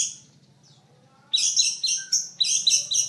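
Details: Long-tailed shrike (pentet), a bird prized by Indonesian songbird keepers in heavy-class singing contests and noted for mimicry. After a quiet start, it gives a fast run of harsh, buzzy, high notes, about four per second.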